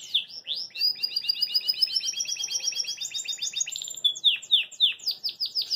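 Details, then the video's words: Caged Belgian canary singing joyfully while hopping in its cage: a long, fast, slightly rising rolled trill of paired notes, ending in quick downslurred chirps. "CANÁRIO BELGA CANTA PORQUE GOSTA"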